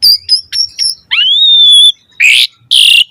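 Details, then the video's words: Vigorous Asian pied starling song meant as a prompt for other starlings: high thin chips, a long rising then level whistle, and two loud harsh, grating bursts. "Suara Jalak Suren Gacor Full Variasi Materi Ocehan - Pancingan Burung Jalak Gacor Full Isian Mewah"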